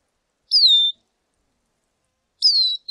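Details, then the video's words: Two plaintive, high whistled notes from a lesser goldfinch, each sliding downward, spaced nearly two seconds apart against silence. "Jilguero Aliblanco Canto! Llamado! Sonido! - Lesser Goldfinch Song -Spinus Psaltria"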